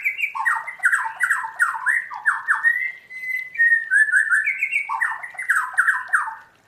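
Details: Caged white-rumped shama trained to sing in the wild 'forest voice' style, delivering a fast, varied song of chopped descending whistled phrases, a brief pure sustained note midway, then more rapid tumbling phrases.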